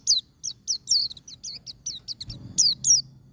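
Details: A continuous string of a dozen quick, high, falling chirps from a white-eye, wild-type song played to encourage caged birds; a brief low thump near the end.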